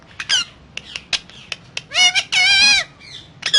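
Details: Parrot talking: quick clicks and short chirps, then two loud, sustained, voice-like syllables with rich layered tones bending slightly, and a final squeak.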